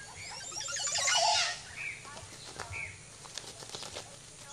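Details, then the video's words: Oropendola in the background at Chan Chich Lodge, Belize, giving a strange, loud, liquid gurgling burst, then short rising whistled notes and scattered clicks, while a displaying ocellated turkey struts nearby; a rustle like flapping wings. "The really strange call you hear throughout the video (such as 0:08) in the background is an oropendola."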